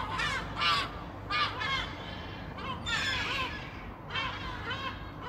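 Gulls give harsh, nasal, repeated cries in quick bursts, a new call every half second or so, over a steady low rumble of wind or surf.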